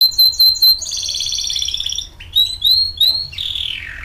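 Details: Kept canary singing: a few sharp whistled notes, then a long rolling, buzzy trill, followed by rising whistled slurs and a descending rattling trill at the end; low background hum.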